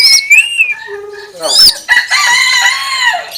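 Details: Common hill myna imitating a chicken: a few sliding whistles and short tones, then a loud, long, hoarse crowing-like cry held for over a second and falling at the end.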